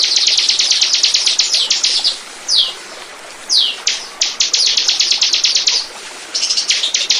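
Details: Bar-winged prinia song used as a lure recording to attract birds: rapid bursts of high, sharp repeated notes, a dozen or more per burst, broken by short pauses and a few downslurred single notes.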